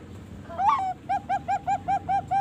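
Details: Bangkok-type zebra dove, 3.5 months old and farm-bred, gives a rising opening note, then a steady series of short, evenly spaced coos, roughly five per second.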